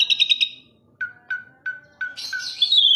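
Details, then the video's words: Asian pied starling song: a rapid buzzy trill, then four evenly spaced low clear whistled notes, ending in a high bright chattering flourish. "KICAU JALAK SUREN MANTUL"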